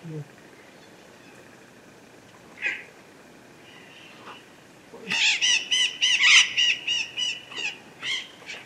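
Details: Two blue-winged macaws flying near a mountain foot in the sertão of Bahia, Brazil: one isolated harsh note, then a loud stream of rasping, rhythmic screeches repeated several times a second over three seconds.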